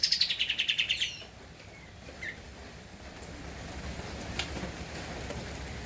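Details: Javan white-eye singing, recorded as a master for training cage birds: a fast burst of high, evenly repeated chirping notes lasting about a second, then quiet background with a few faint distant chirps.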